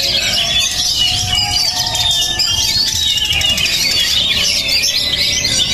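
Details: Oriental magpie-robin, called a high-emotion, steel-nerved bird, delivering a loud, unbroken run of rapid chattering warbles and sharp high whistles, with varied squeaky phrases layered throughout and a faint low hum beneath.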